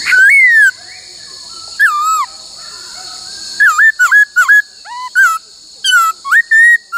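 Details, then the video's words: Trained laughingthrush singing many voices, practising the 'cô trói cột' phrase: long rich whistles slurring downward, then a run of short looping whistled notes with brief gaps. A constant high-pitched hum sits in the background. "Luyện khướu hót bắt cô trói cột , luyện hót nhiều giọng cực hay"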